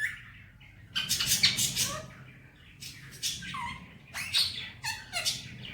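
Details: Male ringneck parakeet at home speaking "Miya Mithu" and "Mitthu bete"; hoarse, squawky word syllables in two bursts, several ending in brief downward whistles, with faint background hum.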